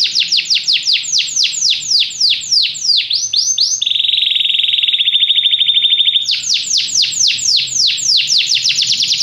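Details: Singing canary delivering rapid descending whistled notes, broken by a two-second steady buzzing roll at one pitch, then returning to quick repeated sweeping notes.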